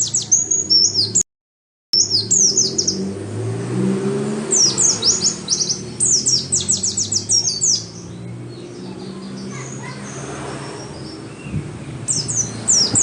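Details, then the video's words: Oriental white-eye song used as a lure so caged birds start singing and for repeated training; rapid high twittering phrases of sliding chirps in several bursts, with a brief cut and quieter stretches between. "Pancingan supaya pleci cepat gacor"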